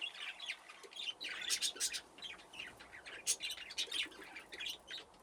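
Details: A group of budgerigars in an aviary with nesting boxes chatter quietly, with scattered sharp chirps and squeaks over a steady background of warbling.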